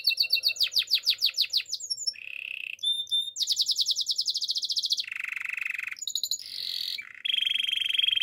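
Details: A Spanish Timbrado canary's training song alternates rapid descending trills, low buzzy rolls, ringing metallic notes and a long high pulsed trill, switching tours every second or two.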